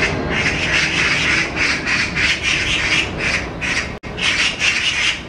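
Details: Two magpies attacking a stray cat and chasing it as it flees give a harsh, rasping chatter of fast scratchy bursts with a brief break near the end; recorded 5 July 2024.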